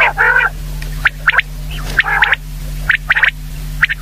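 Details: Common quail calling: sharp, short notes in quick groups of three, alternating with nasal, buzzy bursts rich in overtones, all over a steady low electrical hum.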